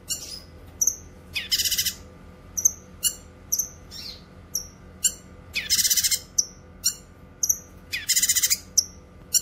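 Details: Cucak kinoy singing, used to train songbirds and call in wild birds: about three harsh pulsed rattles spread among frequent sharp high chirps and short whistled notes, fairly irregular, over a steady hum.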